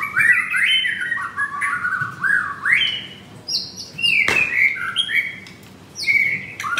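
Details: Male white-rumped shama in a cage at a Jakarta bird kiosk, singing in a crouching style, giving fluid whistled phrases that sweep up and down, with one sharp click-like burst midway.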